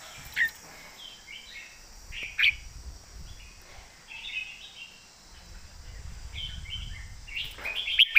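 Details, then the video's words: Red-whiskered bulbul, a caged competition bird from Thailand, singing a thick-toned core song: short warbled phrases of bright whistled notes, spaced with pauses, plus clicking taps and low rumbling background noise. "ใส่เต็มทุกดอก"แกนเสียงหนา เพลงแม่บท/นกแข่ง"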